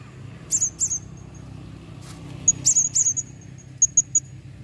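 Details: Calling female blue-crowned hanging parrot: short, high, thin squeaky notes in small groups over a steady low background rumble.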